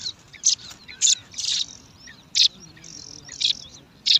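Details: Bar-winged prinia chicks, five in a nest set in alang-alang grass, compete to be fed with loud harsh buzzy squeals repeated roughly every second, with quieter high chirps between.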